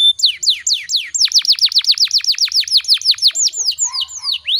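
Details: Canary in long rolling song, used as a training recording to stir other canaries: a steady fast trill of downward-sweeping whistled notes, about five per second, ending in a few slower sweeps.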